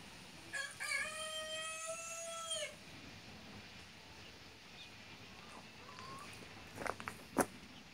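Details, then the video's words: Young rooster giving a single long crow, a rising start then a steady held note lasting about two seconds, followed by quiet background noise and a few sharp clicks. "Little roo crows"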